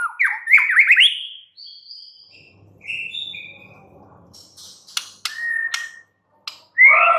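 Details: White-rumped shama giving an opening burst of fast rising warbled whistles, then softer high notes, a stretch of faint low humming, sharp clicks and short whistles, ending with a loud rich whistled phrase.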